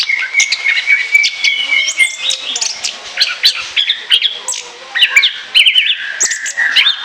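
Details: An Orange-headed thrush sings freely for lure use, opening with a sustained flat whistle under high chips, then running into dense, varied twittering with rising and falling slurred notes.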